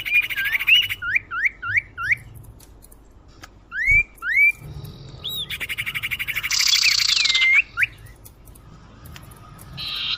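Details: Lure sound of the common iora for drawing in birds: bursts of quick upswept whistled notes in runs of three or four, mixed with dry buzzy trills and a long harsh rasping stretch near the end.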